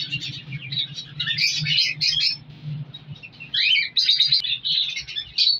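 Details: Colour lovebirds kept in a breeding colony give bursts of sharp, high squeaky chirps in overlapping clusters, broken by brief quieter gaps, with a constant low background hum underneath.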